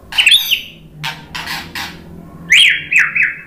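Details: White-rumped shama in Indonesia delivering a provoking song to draw replies from other birds: high scratchy chirps and rough noisy bursts, then sharp rising-falling trilled notes.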